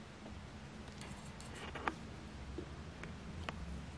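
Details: Steady low indoor hum with a few faint clicks and taps, and no animal voice.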